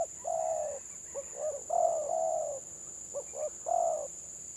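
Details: Village spotted dove giving stuttering 'gagap' song: a long coo, then clipped notes running into two drawn-out coos, a pause, and another stuttered phrase, over a high constant hum.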